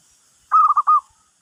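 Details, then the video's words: Zebra dove giving a lure call that draws other birds in: one short phrase of four quick, mellow cooing notes run together, the last note slightly longer, in otherwise quiet surroundings. "Perkutut Pikat, burung lain pada nyamperin"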